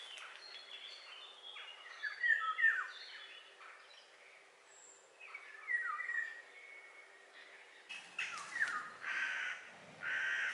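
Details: Eurasian golden oriole song: short fluting whistled phrases around mid pitch, with slurred downward notes repeated in loose bursts, a pause, then harsher broadband calls near the end; faint background noise.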